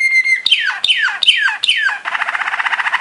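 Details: Waterslager canary, also called Malinois canary, in a training song: four descending slurred whistles from high to low, then a fast bubbling trill repeated about ten times a second, soft and watery.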